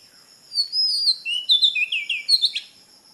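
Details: Singing Oriental magpie-robin recorded in Kerala: a rising, sliding whistle leads into a quick cascade of sweet, varied notes, ending in a sharp upward flick.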